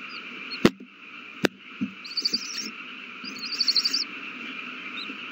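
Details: Owl chicks in a nest begging as they are fed a big meal, recorded 27 March 2020; two short bursts of high, chittering notes over a steady humming background, with a few sharp knocks.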